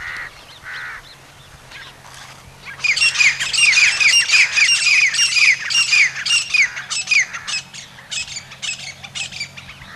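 Grey francolin giving a loud, harsh, rapidly repeated squawking series after two brief faint notes, the calls coming about twice a second and fading toward the end.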